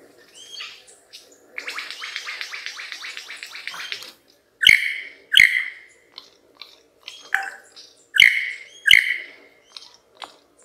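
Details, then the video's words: Male lyrebird singing the most complex song he can manage to draw females close to admire his plumes: a rapid buzzy rattle, then loud ringing notes repeated in pairs with short whistles between. "Lir Kuşu / Taklitçi Kuş / Lyre Bird / Mimetic Bird"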